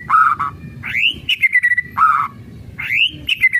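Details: Kretekan of a White-rumped shama, used to stir other shamas to sing. A low warbled note leads into a sweeping upslurred whistle and trailing chips, and the phrase is given twice.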